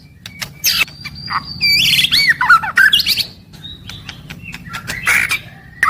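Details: White-rumped shama daily song: harsh squawking bursts mixed with looping whistled slurs and sharp high chips, over steady low background noise.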